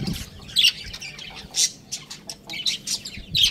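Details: Young roosters playing on a roof: short, sharp high squawks and peeps come in bursts about once a second, with quiet low rumbling between them.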